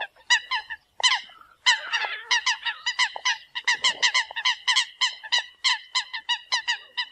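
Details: Eurasian coots calling the flock in a near-continuous stream of short, ringing, nasal honks from several birds, packed closely and repeated rapidly.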